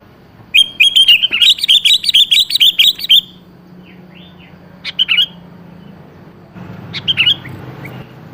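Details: Sooty-headed bulbul song used as a lure to make a rarely singing bird answer: a rapid run of bubbly, chirping notes for nearly three seconds, then a few scattered short phrases with quiet pauses between.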